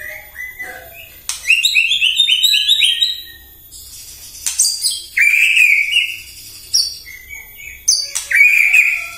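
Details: White-rumped shama singing in the morning, a bait track to excite other shamas: quick descending series of bright chirps, sharp high whistles and sweet slurred notes, delivered in loud bursts separated by brief pauses.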